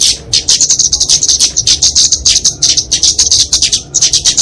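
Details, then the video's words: Flowerpecker (kemade), genus Dicaeum, in fighting song used for masteran training and luring: rapid, high, piercing chips run together in a steady chatter, pausing briefly near the end. "Kicauan Kemade Tarung Untuk Masteran&Pikatan Burung Kecil"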